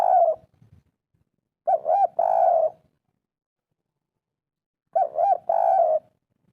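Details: Spotted dove giving its local kuk 3 phrase, meant to get lazy birds calling: two quick arched coos and a long falling coo, repeated twice with about three seconds of silence between phrases.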